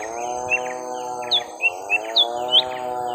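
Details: Young lesser green leafbirds in a long fight, round one: sharp, bright chirps and short up-slurred whistles come in quick bursts over a steady, loud buzzing drone that swoops down every couple of seconds.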